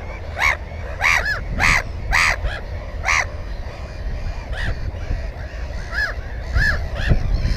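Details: Close, harsh Black-headed gull calls at a nest with one egg and one chick, recorded on a GoPro 4: five strong arched, ringing cries about every half second, then softer scattered calls, over low rumbling background noise.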